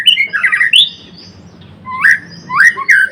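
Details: A blorok white-rumped shama in vigorous song gives rasping, squawky phrases with rising whistled slurs, a short pause, then more scratchy upswept notes, against a steady low hum.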